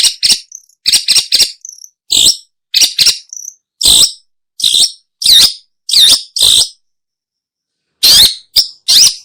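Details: Long-tailed shrike, recorded for luring birds: a series of rasping, buzzy notes in pairs and singles with a few thin squeaks between them, a pause, then three more harsh notes.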